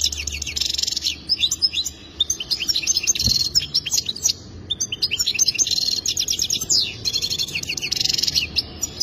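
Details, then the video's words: Goldfinch song for mating, long sequence of bright twittering phrases, buzzy trills and quick slurred whistles with short breaks, over faint low background noise. "اجمل تغريد حسون رائع جدا"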